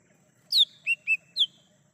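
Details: Lesser green leafbird singing in the wild, a lure for trapping and calling birds: four loud whistled notes, a high downslurred note, two level mid notes, then a falling note, on a quiet background.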